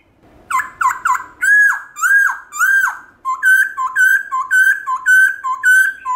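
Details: Black-throated laughingthrush (khướu bạc má) singing its wild-style 'forest voice' song, used to stir pet laughingthrushes into singing: clear whistled notes, first short repeated slurs, then loud swooping rising-falling whistles, then quicker paired phrases.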